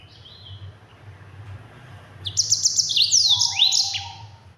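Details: Yellow-fronted canary, or Mozambique, singing fast and dense as a training song for other birds: a soft whistle, then a bright burst of quick trilled notes and swooping high slurs, with a lower buzzy note beneath and a constant low hum.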